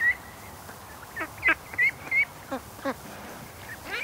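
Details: Young domestic ducklings, about June-hatched, still with fluffy heads, give thin high immature peeps rather than quacks, several in quick succession, mixed with rougher raspier calls about every half second, during their 7am morning rush to swim in the lake.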